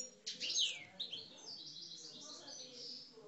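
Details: Caged Algerian parva goldfinches sing aggressively, with a bright burst of high twittering notes, then a rapid run of thin chirps and trills. The background is quiet.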